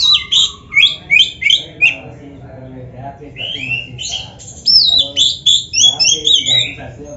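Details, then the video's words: Vigorous Oriental magpie-robin song filled with imitations, meant to heat up a rival bird: a run of about six evenly spaced chirped phrases, a short lull, then bright slurred whistles and quick twittering. "SUARA KACER GACOR FULL ISIAN"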